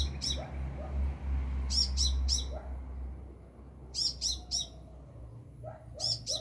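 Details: Sunbird singing near overhead, a few meters up: repeated triplets of sharp, high, ringing notes, with a low rumbling hum beneath and a few softer lower notes.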